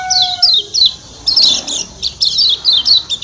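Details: High, thin, descending chirps of a Lombok white-eye (kecial kuning) in the 'ciak ciak' style, in closely spaced bursts, with a brief tonal whistle at the start.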